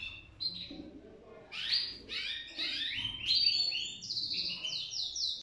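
A goldfinch sings a fast, tinkling run of twittering notes and buzzy trills, climbing high and bright toward the end.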